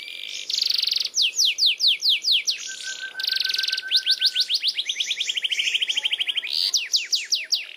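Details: Canary in long rolling (ngerol) song: bright trills of steep sweeping notes, a sustained low even whistle, then a rapid buzzy roll and slower sweeping notes.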